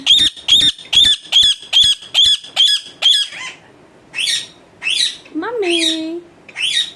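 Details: Pet talking parrot at home gives a run of about eight sharp, evenly spaced screeches every half second, then several rougher, lower harsh calls with one drawn-out falling squawk.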